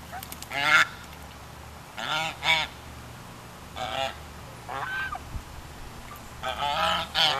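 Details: Geese at High Hill Ranch honk in several separate nasal blasts with rich harmonics, some doubled, spread across the recording over a steady low background hum.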